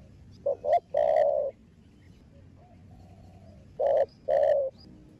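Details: A spotted dove gives low, hollow coos, two quick short notes and a longer rolling coo, with a second phrase about three seconds later, over a quiet background; the recording is meant to stimulate captive doves to coo.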